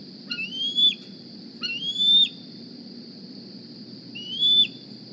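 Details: Young bald eagle, hatched in spring 2020, flying to the nest at Decorah in the morning looking for a meal: thin, high whistled squees rising then dropping, three spaced calls over steady background hum.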